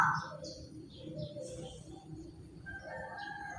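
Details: Black-naped oriole, a large-bodied bird singing actively, its song used as a lure to draw other orioles. Brief mellow whistled notes at the start, then a longer, steady, fluty whistle near the end, over low rumbling background noise.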